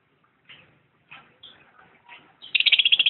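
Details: Lovebird chirping: a few scattered hoarse chirps, then a loud rapid buzzy trill of evenly spaced harsh notes in the final second, with no other sounds.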